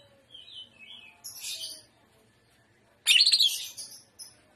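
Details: Greater green leafbird performing jamtrok trotolan song: soft thin whistles and a hissy high phrase, a pause, then an intense burst of piercing rapid trills that fades with a final short note.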